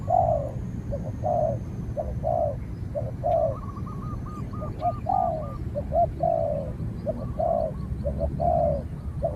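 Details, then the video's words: Spotted dove in a fight with another dove, one a training decoy and the other a cautious wild bird: steady series of throaty coos, short pick-up notes followed by longer falling coos, with a soft repeated piping call from another bird behind. "เสียงนกเขาใหญ่ ต่อ นกเขาใหญ่"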